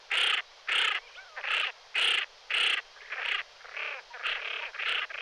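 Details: Common pochard calling: a run of harsh, rasping notes, roughly two each second, with louder bursts first and then softer, overlapping calls.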